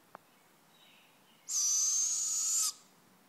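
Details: Owl giving a single harsh, hissing screech about a second long, broad and rasping with a thin steady whistle-like tone running through it, preceded by a faint click in an otherwise quiet background.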